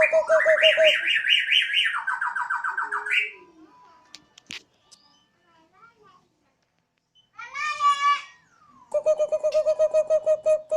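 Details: Borneo white-rumped shama kept at home sings its siren-like song on a terrace: rapid repeated notes, then high wavering trills and a lower rolling trill. Quiet voices and small sounds fill a pause before the steady repeated notes resume.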